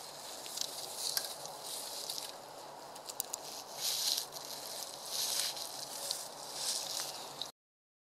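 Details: Bohemian waxwing recorded in March 2015 in Saitama, Japan: high, thin, buzzy trills come in repeated bursts, some brief and some drawn out for about a second, over a steady soft background hiss.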